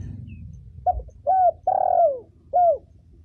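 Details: Female spotted dove cooing, used to lure and stimulate other doves and to train young birds: one phrase of four low mellow coos, a short soft note, then two rising-falling hoots with a longer drawn-out middle coo.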